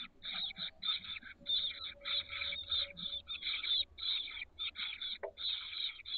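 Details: Chestnut-backed chickadee chicks aged 13 days, hatched 17–18 May, in a nest box on the SF Bay south peninsula, 30 May 2023. Harsh, buzzy rasps tumble in quick uneven runs, with a faint steady tone and a brief thump.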